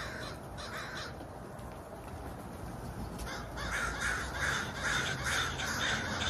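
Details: Crow cawing in the second half, a run of harsh, rasping caws repeated roughly every half second over a steady low rumble.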